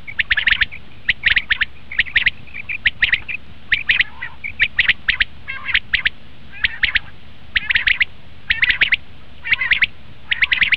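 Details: Common quail calls used to lure quail for hunting: regular bursts of three to four sharp notes, nearly every second, with a few soft faint notes between them and steady hiss behind.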